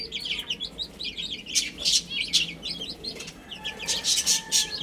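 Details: Young chicks peep rapidly while eating and drinking, their high arched notes overlapping. Short rushing noise bursts and a faint steady hum run underneath.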